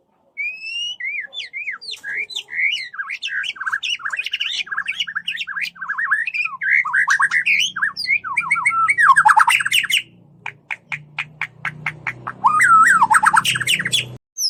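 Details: White-rumped shama lure song with the 'cess plengg' style, used to rouse other shamas into singing: a long, loud, varied stream of whistled slurs and chirps, then rapid clicking bursts and sharp rising whistles, over a low background hum.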